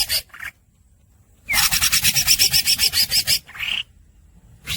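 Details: A greater green leafbird (cucak hijau) singing in the los dol gacor style: short buzzy bursts separated by silences, with a two-second stretch of fast harsh rasping pulses and a slurred whistled note.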